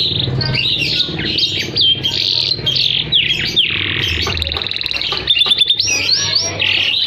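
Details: Canary singing 'gacor atas bawah' style, high and low phrases, meant to coax canaries that stopped singing and to serve as a tutoring master; ringing upswept whistles, buzzy notes and a quick stuttered trill near the end.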